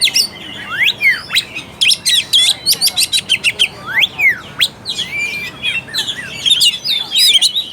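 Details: Oriental magpie-robin song to coax a lazy, timid bird into singing: strong steeply rising and falling whistles mixed with rapid staccato notes, steady through the phrase, ending in lively twittering.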